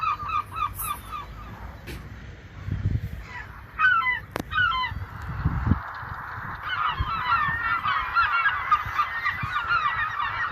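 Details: Many gulls calling at once over the ocean, some flying, harsh nasal yelps and mewing cries overlapping in a busy chorus, over a low rumble of surf and wind.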